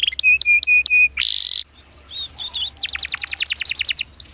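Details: Canary singing a lure song for juvenile canaries: a run of paired whistled notes, a loud buzzy burst, soft twittering, then a fast rolling trill of downward chips and a closing upslur.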